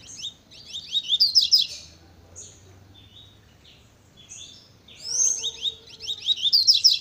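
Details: Very fast velocista-style song of a Double-collared seedeater: dense runs of high, rapid chirps and downslurred twitters, a quieter stretch of scattered notes mid-way, then another energetic burst; faint low hum behind.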